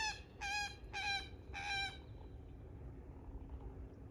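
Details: Common moorhen, a wetland bird: four loud, harsh, nasal honking notes with a rich ringing tone come in quick succession over the first two seconds, followed by quiet with only a low background hum.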